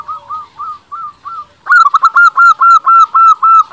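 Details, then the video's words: Local zebra dove song used to lure rivals into replying: a softer run of spaced, rounded coo notes, then a loud, fast string of about ten bright, clipped fluty notes in steady rhythm. "Perkutut lokal gacor paling ampuh untuk pancingan belum satu menit bikin lawan sudah pada nyaut"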